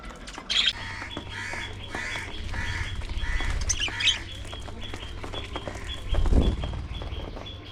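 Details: Budgies at early morning feeding time, several birds active: a run of harsh, buzzy squawks with bright overtones repeating about every half second, a few sharper chirps above, a steady low hum and a brief louder thump near the end.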